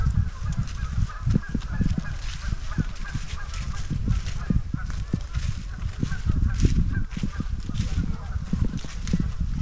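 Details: Many geese massed at a waterfowl resting refuge, Shabbona Lake State Recreation Area, keep up an unbroken chorus of overlapping nasal honks for nearly ten seconds, loud and steady, with frequent low thuds beneath.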